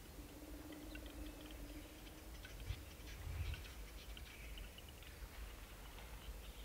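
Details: Western capercaillie, males only, at a lek in Krasny Bor, 6–18 March 2015: faint, dry ticking clicks in loose runs over a low rumble of wind and distant background.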